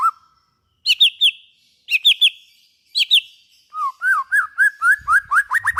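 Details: White-rumped shama song used to get other shamas singing: repeated clusters of three sharp downslurred whistles, followed by a fast, accelerating run of rising whistled notes.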